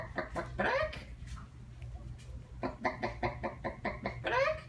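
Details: A 22-year-old pet Senegal parrot indoors, imitating a chicken: quick runs of short, harsh clucking notes, with louder rising squawks near the start and end, and a room hum underneath.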